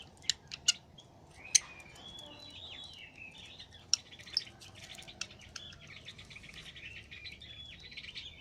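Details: Lovebird chattering freely, a parrot kept as a cage bird: a busy run of high, squeaky chirps and short buzzy warbles with sharp clicks scattered through, continuing steadily over a low background hum.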